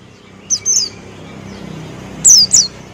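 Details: Buxtoni white-eye delivering two short bursts of high, thin, descending notes over a steady low background hum.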